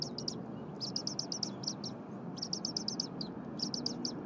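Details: Bald eagle eaglet in a nest at Berry College on a January morning, calling incessantly while the parent preps leftover prey; high, thin chirps in rapid runs of up to six notes with short pauses, over low steady rumble.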